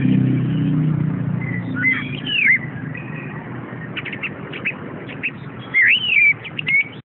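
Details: Orange-headed thrush in captivity sings looping whistled phrases and clusters of quick sharp notes, with a loud low rumbling hum early on.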